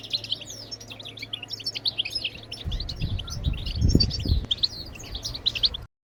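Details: Goldfinch bebtebat song meant to spur birds to sing: dense, high twittering throughout, over a low hum, with a burst of low thumping noise midway before an abrupt cut.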